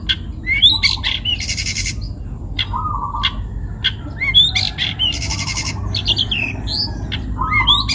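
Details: From Pati, Central Java, a young forest-caught long-tailed shrike pours out a varied song of dry rasps, thin rising whistles and short lower chatters, harsh buzzy bursts recurring about every three seconds.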